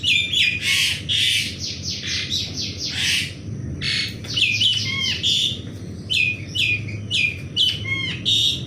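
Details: Dense, continuous morning song of an Asian pied starling, mixing harsh buzzy bursts with clear, slurred whistles in quick succession for nearly nine seconds.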